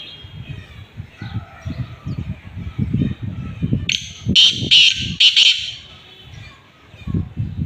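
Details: Black francolin from Khushab giving a harsh, rasping run of four or five closely spaced notes midway through, over low rumbling and thumping background noise that continues before and after.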